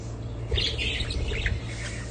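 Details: A short run of budgerigar warbling, a soft rippling twitter lasting about a second amid a low steady hum.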